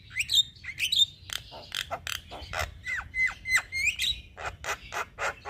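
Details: {'_': 'Young Javan myna singing actively, used as a tutor and lure for all kinds of mynas; harsh broadband squawks alternate with sharp whistled notes and upslurs, delivered rapidly and irregularly, with a low background hum.'}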